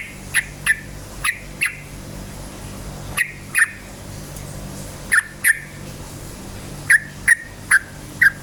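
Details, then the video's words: Yellow-vented bulbul in lively 'cukcuk ropel' song, meant to goad other bulbuls into singing. Clipped, bright notes come mostly in pairs, spaced by short pauses, over a low background hum. "suara KICAU burung trucukan gacor cukcuk ropel"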